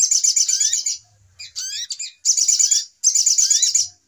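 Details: Agitated lure call of a brown-throated sunbird used for trapping birds: four bursts of shrill, fast twittering with upward-slurred notes underneath, separated by short silences.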